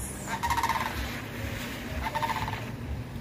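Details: Sandhill crane in flight, approaching, gives two loud, rolling, trumpeting rattles about a second and a half apart, over a low background rumble of wind.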